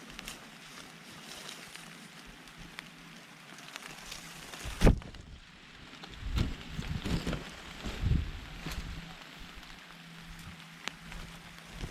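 Outdoor wind and rumbling handling noise with scattered clicks and thumps, no animal voice.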